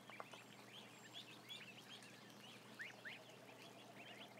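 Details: Ducklings numbering about a thousand on a camera feed: scattered high, thin, upward-sweeping peeps, a few loud and sharp, others faint, over steady hiss and hum.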